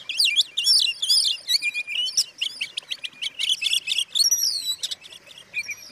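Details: Song of a white-rumped shama meant to provoke rival shamas: dense, fast stream of twisting whistles, trills and chattering notes, high and continuous, delivered in quick bursts with little silence.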